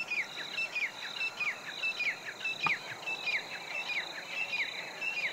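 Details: Grey francolin (Ortygornis pondicerianus) calling: shrill, down-slurred whistled notes repeated briskly in an overlapping series, roughly one and a half per second, over a steady high hiss of background noise.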